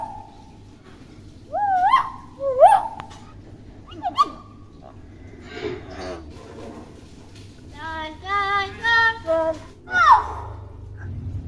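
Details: Young tame common hill myna, a good talker, gives swooping rising whistles, some raspy notes, then a run of clipped harmonic word-like syllables imitating human speech, followed by one more rising whistle.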